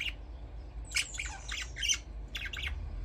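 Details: Budgerigar chirping in a dense run of harsh, squawky chirps and chattering notes, some buzzy and some briefly whistled, tumbling over one another without pause.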